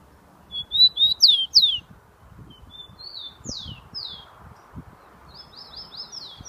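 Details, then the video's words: Kept saffron finch (tico-tico) from São Paulo, recorded 27 September 2015, singing a burst of bright, sharp, downward-slurred high notes, then softer separated chirps and a quick closing series, with light rustling and thumps below. "Tico Tico JK cantando muito"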